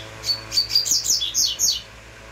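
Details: Close, loud uruguayo song from a double-collared seedeater: about eight sharp, high chirped notes in quick succession, dropping in pitch and sweeping down, delivered in just over a second and a half.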